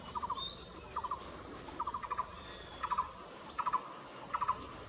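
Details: At Nam Nao, a Blue-throated barbet gives short throaty bursts of three or four rapid knocking notes, spaced about every second, over a faint hum with a brief high whistle from another bird.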